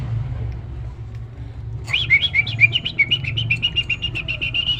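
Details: Nias hill myna singing as master audio to stimulate other cage birds: after quiet low rumble, a quick run of bright warbling whistles, then a steady repeated high chirping, with background traffic hum.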